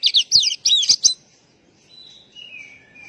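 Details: White-rumped shama as a lure for stressed, silent birds; a brief rapid burst of loud chattering sweeps followed by quiet, long, falling whistles.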